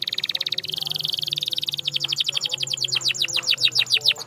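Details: Singing canary, offered as a sound to get silent canaries singing: a fast even high rattle gives way to quicker repeated downward-sweeping notes, growing louder toward the end.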